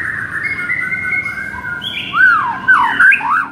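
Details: White-rumped shama song used as a masteran lure to provoke a sluggish shama; long sustained whistles followed by loud rising and falling slurred notes.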